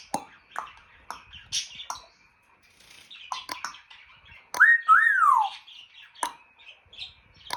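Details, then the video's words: African grey parrot known for clicks, pops and electronic-like noises: a run of snappy clicks, then a loud double whistle that climbs and glides down, followed by more clicks. "Jarvis the African Grey and his funny sounds"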